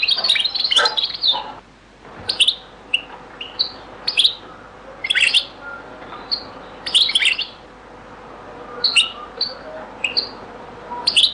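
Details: European goldfinch in the Beni Messous 'les avocats' (zaboka) style from a very old recording: an opening burst of dense twittering, then spaced bright chirps and short trills repeated every second or so.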